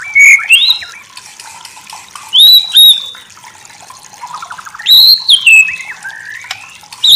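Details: Masteran recording of a white-rumped shama (murai batu): bright slurred whistles in separate phrases a second or two apart, one with a quick rising trill, some sweeping upward, over a quiet hiss.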